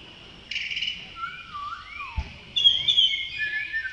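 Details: Male Blue-throated Blue Flycatcher, Tashiding, Sikkim, India, May: sweet whistled notes with a descending slurred phrase, a brief knock midway, then a sharp high trill-like phrase.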